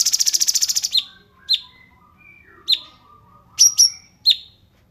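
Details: Cungkok song, a 'rapat jeda' filler-song tutor recording for caged songbirds to copy: a fast buzzy rattle opens, then sharp high chirps with falling tails, spaced about a second apart with quiet gaps.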